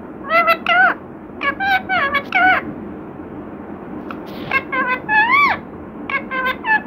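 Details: Talking parrot repeating "Radhe Krishna" in a small room: rapid runs of four or five harmonic word-like syllables, then a longer swooping phrase and a few clipped notes.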